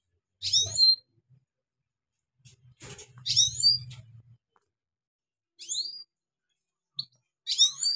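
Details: A trained European goldfinch, recorded for teaching newly caught wild goldfinches, gives short, high, tinkling bursts of quick sweeping notes every two seconds or so, with a faint low hum underneath.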